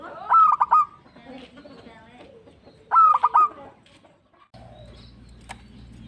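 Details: Zebra dove, a local bird, singing to prompt other birds to sing; two brief rolled cooing phrases about two and a half seconds apart, softer murmurs between, then a steady low hum.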